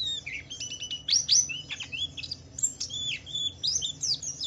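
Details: Pleci (white-eye), Wiklus Wiksar, in energetic ngalas song used as a lure for other white-eyes: bright, high slurred whistles and rapid twittering bursts, louder flurries alternating with softer chirps.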